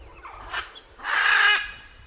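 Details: A single drawn-out, rough macaw screech preceded by a brief shorter call.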